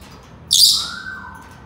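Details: Senegal parrot letting out a short, harsh squawk followed immediately by a soft, pure whistle that slowly slides downward and fades.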